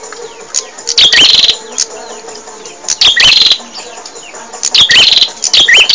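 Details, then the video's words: Bar-winged prinia song recorded for training caged birds: loud bursts of high, sharp chirps with a rising hooked note, separated by quieter gaps of about two seconds. "Suara Burung Prenjak | Gacor"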